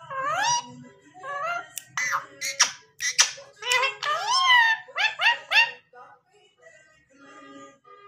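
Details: Pet parrot talking indoors: a run of speech-like phrases with rising and falling voiced notes, several quick syllables in bursts, then quieter murmurs near the end.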